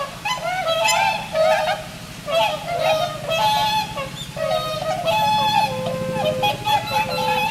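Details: Swans calling in pairs by turns at Inokashira Park aquatic zoo, Japan, late afternoon around 4 pm on 22 November 2016, four birds raising and lowering necks; overlapping nasal honks, some held and level, nearly continuous through the clip.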